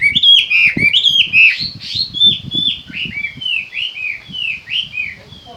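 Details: Chinese hwamei song made of a steady series of loud, clear downslurred whistles repeated about four times a second. The notes fade slightly over the clip, over a faint low background murmur.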